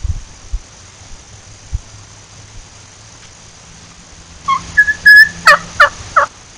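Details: Wild turkey hen at a cabin giving a yelp and kee kee call for a lost hen: after about four seconds of quiet, a burst of loud, sharp, rising whistled and raspy notes, about five in quick succession.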